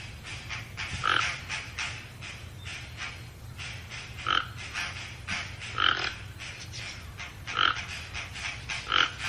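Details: Rough, croaking calls of a Toco toucan repeat every one to two seconds, five in all, over a constant chorus of dry clicking sounds and a low hum.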